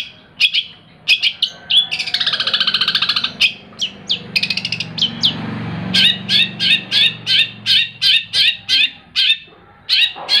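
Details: Pet long-tailed shrike raised from a chick and fed insects morning and evening, singing harsh chattering phrases, a drawn-out hoarse buzz, then a steady run of sharp clipped notes repeated about twice a second.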